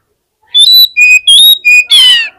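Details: Contest fighter Oriental magpie-robin on the hanging poles, its voice said to make other magpie-robins answer fast. Five clear whistled notes alternate between high and lower pitch, the last one harsh and rasping.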